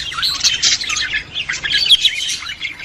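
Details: Budgerigar mating-stimulation chatter: a bright, tumbling warble of chirps and squeaks, steady and unbroken, several birds overlapping.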